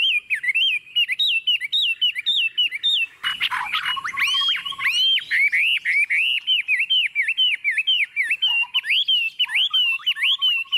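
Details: Tame hand-raised Chinese hwamei set on a table, singing confidently: loud, rapid chains of clear whistled notes swooping up and down, each phrase repeated many times, with a brief burst of rough harsh noise partway through.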